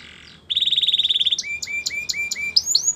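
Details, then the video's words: Canary singing for training: a quick steady trill of evenly repeated notes, followed by a series of short rising and falling whistled notes with clear high overtones. "The most popular canary training | Play now, your canary will sing a lot"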